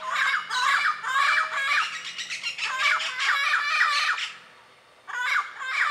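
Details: Yellow-naped amazon (Amazona auropalliata) calling in its natural habitat amid foliage in Costa Rica's dry forest: loud, harsh, raspy squawks in rapid overlapping bursts for about four seconds, a brief pause, then more calls, over a faint low hum.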